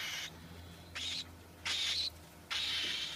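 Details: Cockatiel giving three or four loud, harsh screechy calls, each about a third to half a second long, spaced roughly every half second to second.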